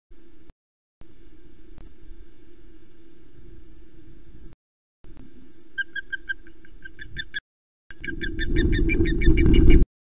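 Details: Osprey at its nest at Loch Arkaig on 9 April 2020, 15:09, as the female flies up with the last fresh fish from the male; a steady low hum gives way to runs of sharp, high, rapidly repeated chirping notes.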